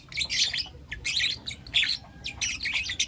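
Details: Young lutino lovebirds, a group of four, in the morning; about five loud, harsh, high chirp bursts in quick succession, each lasting a fraction of a second.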